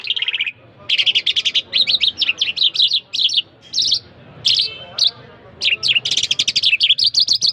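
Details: Iranian jal (jal irani, jal mashhadi) singing: loud, rapid bursts of buzzy, trilled notes in quick runs, broken by short pauses and single sharp whistled notes.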